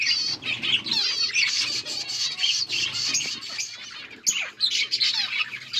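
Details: Finches chirping as they eat green food, August 17, 2024; overlapping high twitters and squeaks, a short quieter gap past four seconds, then a fresh burst of chirps.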